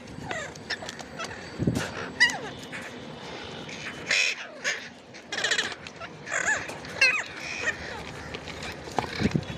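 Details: Ringneck parrot giving harsh, screeching calls in irregular loud bursts with quick rising and falling squeaks between them, over steady background noise.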